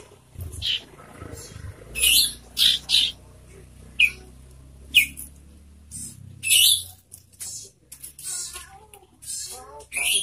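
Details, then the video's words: A sirtu songbird in full, loud, ringing song gives short, high, shrill bursts of chattering notes every second or two, separated by pauses, over a faint low background hum. "burung sirtu gacor suara lantang dan nyaring"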